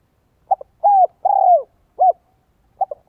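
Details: Spotted dove lure song in 'giọng son, 1 cốt lỡ' voice: soft double pip, a sustained coo, a longer wavering coo dropping at the end, then a short closing note and the next phrase starting.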